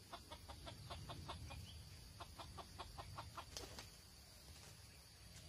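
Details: A wild red junglefowl recorded during junglefowl trapping on 6 March 2020 gives a steady run of short, dry clucks, about three per second, fading after a few seconds; low rumble and high insect hum behind.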